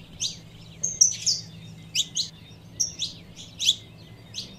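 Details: A calling saffron finch female, stirring up a male: paired sharp chirps and a couple of level thin whistles, roughly every second, over low hum.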